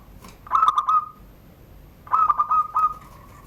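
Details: Zebra dove, Banten, Indonesia, kept caged and hung under a door, singing the crystal-voiced surung gdor style; two phrases of rapid clear cooing notes, the second longer with an extra final coo.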